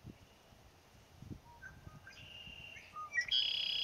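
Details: Male red-winged blackbird calling from cattails on May 10, 2017. A few short whistled notes at shifting pitches lead into a loud, high, buzzy trill at the end. Soft low thumps are heard in the background.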